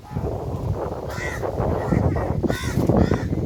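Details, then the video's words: A rose-ringed (ringneck) parakeet in a tree gives a few harsh, grating squawks in short bursts over about three seconds, against a steady low rumble of background noise. "Chripping sound of parrot"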